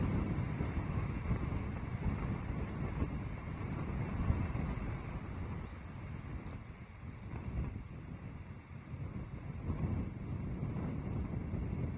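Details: Steady low rumbling wind noise fills the recording, with no clear animal calls standing out.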